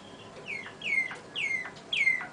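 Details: Song of a Malinois (Waterslager) canary: three or four separate whistled phrases spaced about half a second apart, each starting high and sliding down into a level, slightly buzzy tone. Faint background hiss.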